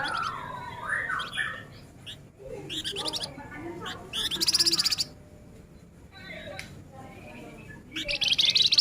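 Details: Male flamboyan singing actively in the nyerecet rapat style: clipped high notes and short dense bursts of rapid buzzy ticks, with louder rattling trills near the middle and end and faint lower chatter between them.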